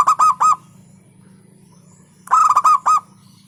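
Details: Local zebra dove song in punchy phrases. Two bursts of quick rolled notes come about two seconds apart, over a low continuous hum.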